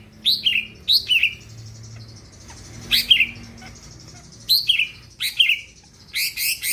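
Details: Greater green leafbird, a caged songbird kept to make other birds sing, giving loud downslurred whistled notes in pairs, then a harsh buzzy burst at the end.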